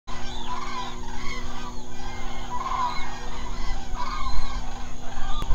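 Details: Common cranes at night at their roost in the Hula Nature Reserve, Israel, a remote wetland of lakes and marshes. A dense chorus of overlapping trumpeting calls rises and falls over a steady low hum.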